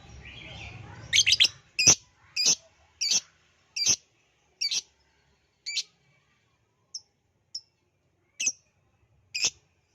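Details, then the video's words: Lovebird lure recording: after a short stretch of low noise, a cluster of sharp chirps gives way to single shrill, high calls spaced about every half second to second, growing sparser toward the end. "pancingan ampuh love bird jadi bunyi"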